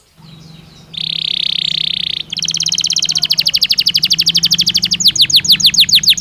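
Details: Belgian canary singing naturally: a steady buzzing tone held about a second, then a fast, dense trill that gradually loosens into separate, loud, downward-slurred whistles, with a faint low hum beneath.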